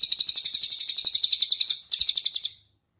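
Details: Cililin singing in a master recording for daily songbird training: a dense series of high, rapid chirps, briefly broken and then resumed before fading out.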